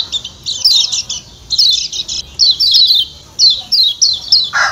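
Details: Kecial kuning, a Lombok white-eye, calling 'ciak ciak' in rapid scratchy bursts and chains of high downslurred chips, ending with a short lower, harsher squawk.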